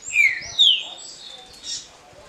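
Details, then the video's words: Green-winged saltator, short smooth Paraná song type for the roda: two bright slurred whistles, the second higher and longer, trailing into a softer high twitter. "TRINCA FERRO DE CANTO CURTO LISO PARANÁ (CANTO PRA RODA)"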